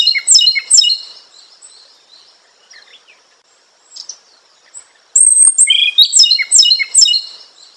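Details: Robin kept as a songbird for Indonesian singing contests, said to be imported from China, sings two bursts of high, crisp stacked chirps separated by a few seconds of soft scattered notes, then a fast run of bright repeated whistles.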